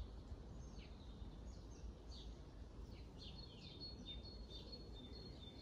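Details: Long-tailed tits in Grunewald on 20 March 2021, giving thin, high, downslurred call notes scattered through the clip, some as short rising strokes, over a steady low rumble of background noise.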